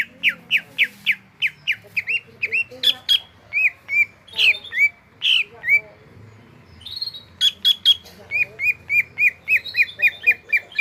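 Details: Greater green leafbird in full song: runs of rapid, sharp downslurred notes broken by harsher buzzy calls and squeaks, then the quick repeated note series returns near the end.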